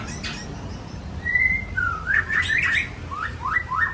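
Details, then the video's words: White-rumped shama of the Aceh type singing: a clear sustained whistle, then sliding and rising whistled phrases and quick upward notes, over a steady low background rumble. "Murai Aceh"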